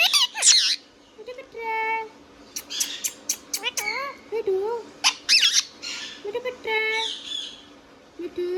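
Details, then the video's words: Indian ringneck parrot at home in a small room, mixing harsh squawks with wavering harmonic talking-like syllables and short whistles, the phrases bunched in lively bursts. "Ringneck Parrot Talking Sound video | Indian Ringneck parrot natural sound"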